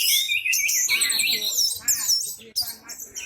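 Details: Loud song of an orange-headed thrush spreading its tail, meant to prompt other birds to sing: high, sliding whistled notes and quick chattering phrases in bursts, with a brief gap near the end.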